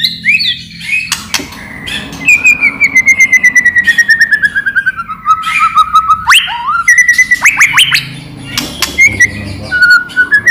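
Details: White-rumped shama song used as a lure to prompt other shamas to sing: long whistled notes sliding gradually downward, broken by sharp clicks and rapid rising sweeps, loud and continuous.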